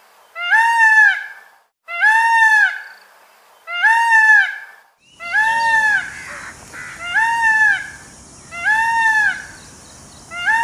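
Indian peafowl giving six loud, nasal, wailing calls about two seconds apart, each arching up then down. A steady hiss and faint rumble join halfway through.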